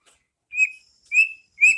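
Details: Three high, clear, level whistles spaced about half a second apart from a White-rumped shama, pastol ngeplong style, used as masteran for caged birds.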